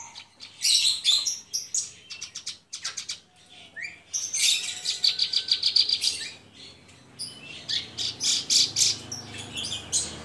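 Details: Javan bush lark kept in a cage sings energetically, mixing short sharp chirps, rapid rattling trills and squeaky varied notes in quick succession, with a faint background hum.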